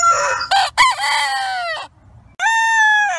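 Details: Rooster at sunrise on a farm: the end of one crow with ragged, falling notes, a brief quiet gap, then the start of another strong, level crow.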